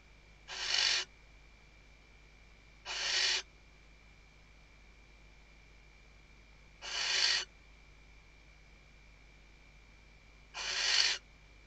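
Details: Female Western barn owl at a nest webcam in Riet Vell Nature Reserve, Ebro Delta, Tarragona, Spain, 2023 season, calling the male while stuffing the nest: four harsh, hissing screeches, each about half a second, spaced two to four seconds apart.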